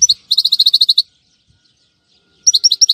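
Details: European goldfinch recorded on a Friday in 2018: a fast run of bright, high tinkling notes for about a second, then silence, then a second short burst of sharp twittering notes.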